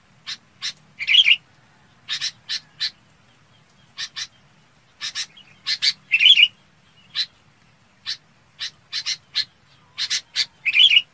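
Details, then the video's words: Red-whiskered bulbul calling the flock: rasping doubled chatter notes alternate with brief bright warbled phrases every few seconds, clear against a quiet background. "Tiếng Chào Mào Bông gọi bầy"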